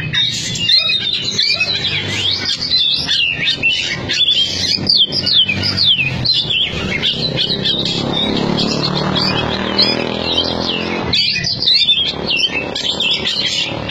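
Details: Caged Oriental magpie-robin, a former competition bird from a Cianjur team, singing fast and forcefully: rapid varied whistles, slurred upsweeps and harsh chattering notes in a continuous stream, with a low hum underneath.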